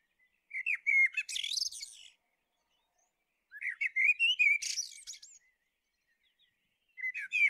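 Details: Common blackbird (Turdus merula) singing repeated phrases about every three seconds, low rounded whistles rising into high, squeaky, chattering flourishes, with clear silence between phrases.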